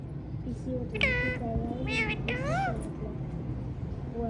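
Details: Colourful hand-tame ringneck parrots giving three drawn-out, wavering, harmonic squawks in quick succession, followed by quieter faint calls and indoor background hum.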